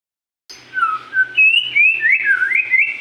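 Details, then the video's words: Magpie-robin singing: after half a second of silence, a run of clear whistled notes slides between low and higher pitches, ending in fast looping rising and falling phrases. "burung murai gacor"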